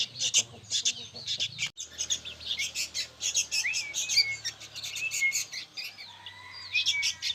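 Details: Young sooty-headed bulbuls chatter loudly in overlapping high, scratchy chirps. Quick upslurred whistle notes are scattered throughout, over a soft low hum.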